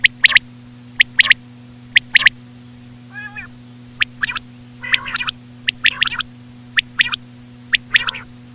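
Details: Regular bursts of sharp, high quail notes in twos and threes from a female common quail, with short nasal, buzzy phrases in the middle of the run. A low hum persists in the background.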